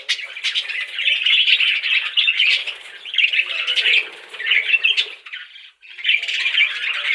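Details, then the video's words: Budgie chatter: busy, scratchy warbling chirps rolling on almost without a break, a brief dip in loudness near six seconds before the chirping resumes. "Budgies chirping sound"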